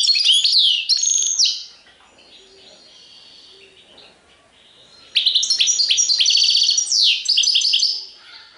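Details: European goldfinch in serfati tiwawati style, with sweeping whistles and chattering twitters, a long soft pause, then a dense, lively run of high tinkling and buzzy notes.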